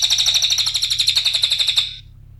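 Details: Cililin trill played as a lure. There are about two seconds of fast, evenly pulsed, high-pitched chattering notes, then the sound stops abruptly over a low background hum.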